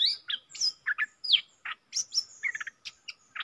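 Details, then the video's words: A fierce wild red-whiskered bulbul sings at a caged decoy bird, dated 5-6-64: quick alternating high whistled slurs and short chirps, with a fast stuttered group of notes near the end. "นกป่าห้าวจัดมา ริกใส่แล้วก็ไป"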